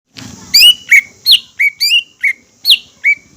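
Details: Lively singing green leafbird used as a lure to excite other leafbirds: a fast run of sharp whistled notes, each dropping from a high flick to a steady tone, about eight notes in three seconds.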